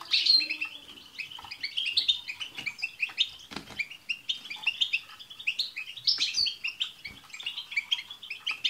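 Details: European goldfinches chatter together in a group song used to get a pet goldfinch singing, a steady stream of quick, tinkling chirps and trills with sharp high accents and short faint knocks.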